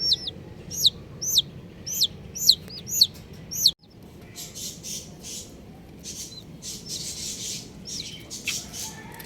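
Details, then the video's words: Colourful baby chickens chirping: six loud, arched, high-pitched peeps about half a second apart. The peeps then give way to a softer wash of distant, faint chirps and background hiss. "Colourful Baby Chickens | Cutie Chicks Chirping Sounds"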